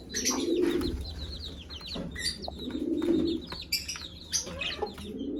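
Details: Mother hen calling her chicks to eat: low, throaty clucking bursts roughly every two and a half seconds, with high, downslurred chick peeps scattered throughout and some rustling and wing noise.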